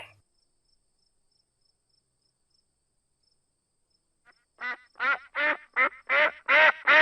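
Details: Domestic duck, named alongside its young, the ducklings: after about four seconds of silence, a run of about seven loud, nasal, harmonic quacks rings out, each a short downward-curving call, coming faster and louder toward the end.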